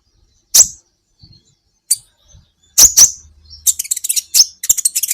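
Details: Kolibri ninja sunbird on a songbird training track: isolated loud, high chip notes with long pauses, ending in a quick, rattling run of sharp twittering notes.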